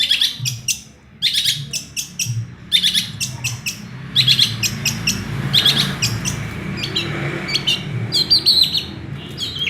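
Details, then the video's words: Long-tailed shrike with a song full of small-bird imitations: clusters of quick high chips and twitters in irregular groups, above a noisy low rumbling background. "Cendet gacor full isian burung kecil"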